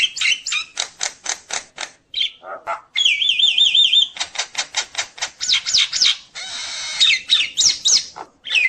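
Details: Nias myna singing a full, lively repertoire that stirs up rival mynas: rapid dry ticking bursts, a sustained wavering trill, more quick clicks, then a hissing rasp ending in twisted whistles.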